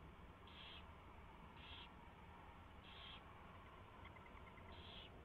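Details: Nest owls in the early morning of 24 February 2016, around a mouse being delivered and fed; four harsh, breathy hisses spaced about a second apart, a brief run of soft clicks near the end, constant background hum.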